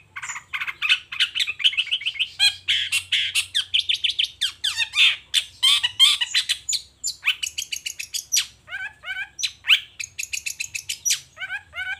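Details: Long-tailed shrike showing off its repertoire in lively morning song: a long, rapid stream of chattering notes, fast trills and squeaky, twisting whistles, delivered almost without pause.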